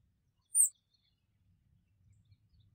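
A rufous-bellied thrush gives one thin, very high, sharp call note, then quiet with only a faint low rumble of background noise.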